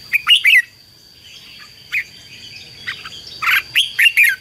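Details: Red-whiskered bulbul song meant to excite a decoy bird and call in wild ones: a quick cluster of bright notes, a pause, then scattered whistled phrases and a final lively burst, constant high hum behind.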